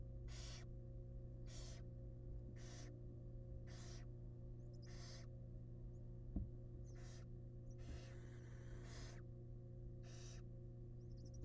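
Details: Wild barn owl family in a research nest box during a rat delivery by the male: breathy hissing screeches repeat roughly every second, then a longer rasping burst, and a single faint knock, all over a low hum.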